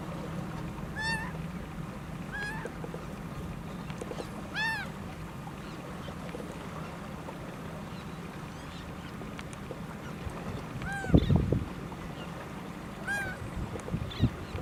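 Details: One-legged laughing gull calling in the United States: scattered nasal, harmonic cries at irregular intervals, several quieter, over a constant low rumble, with a loud low thumping noise near the end.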